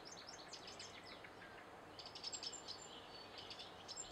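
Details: Eurasian wren song, thin and high: a quick descending run of sharp notes opens, then scattered rapid trilled bursts follow, all fairly faint over a constant hiss.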